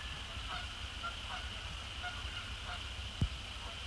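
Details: Canada geese, resident and migratory, flying across a post-sunset sky to splash down on Sapsucker Woods Pond; soft distant honks repeat about every half second over steady low rumble and a constant high hiss, with one sharp click.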